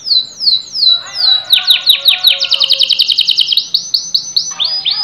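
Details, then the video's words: A canary sings a bright, fast song of repeated high notes: first slow downslurred whistles, then rapid trills and rolling phrases. "KENARI CANTIK LAGU ASYIK"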